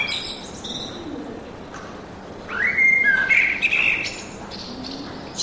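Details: Birdsong in a forest: an upward-swooping whistle followed by a run of bright warbled notes mid-clip, with a few faint chirps before and after and soft background noise.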